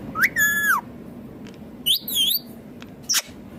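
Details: Indian ringneck parakeet, green, mimicking speech: a rising whistle flows into a drawn-out harmonic word-like sound, then a higher wavering phrase and a sharp final squeak, against low indoor hum.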